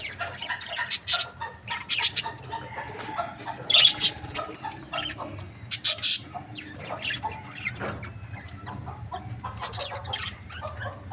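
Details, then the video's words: Breeding pairs of budgerigars give scattered sharp chirps and short squawky notes in separate bursts over a low background hum. "Amazing budgie chirping sound | breeding pairs"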